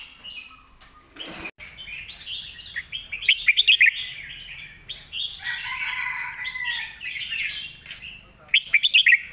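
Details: Red-whiskered bulbul, a competition bird, singing a full, thick-voiced master song: warbled, slurred phrases that rise and fall, with bursts of sharp, quick notes near the start and end.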